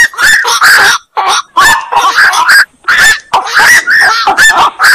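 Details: Black-crowned night heron, locally called koak, giving harsh, honking croaks in quick succession. The loud, nasal calls overlap densely with only brief pauses, as if several birds are calling at once.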